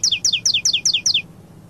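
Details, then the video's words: Saffron finch in Paulista song style, six quick, high two-part downward-sliding notes in just over a second, then silence. "CANÁRIO DA TERRA CANTO PAULISTA"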